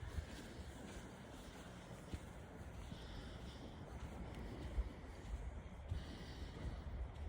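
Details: Steady low rumble of wind and distant engine-like noise on a beach, with no animal calls heard.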